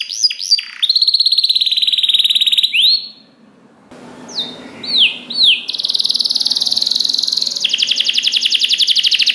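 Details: Canary song recorded for training other canaries: quick whistles and a fast high trill, a brief quiet gap, rising swept notes, then a long rapid buzzy trill.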